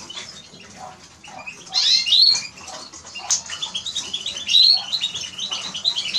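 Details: Eurasian siskin twittering song, rapid high chirps in a jumbled stream with a few clear descending whistles standing out above the chatter.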